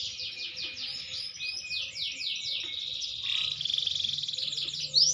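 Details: Maturing green canary singing a continuous high twittering song of rapid descending sweeps and buzzy trills, the phrases flowing together without pause and ending in a sharp upward note.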